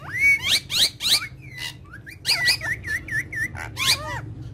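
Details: A talking parrot family plays together on a charpai; a rising whistle opens a series of sharp chirps, then a run of five quick, evenly spaced up-down whistled notes, with low hum behind.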